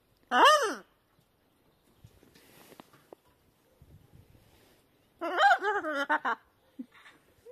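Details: Playful, talkative pet macaws outdoors on a sunny February winter day with little wind, a few degrees above freezing; one loud harsh arching squawk, a quiet pause with faint rustles, then a longer burst of raucous screeching.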